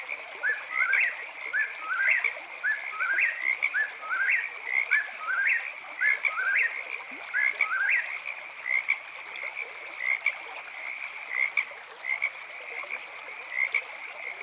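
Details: Night song of an eastern whip-poor-will: rapid whistled phrases ending in an upswept note, given roughly every second for about eight seconds, then only a continuous frog chorus with short high chirps.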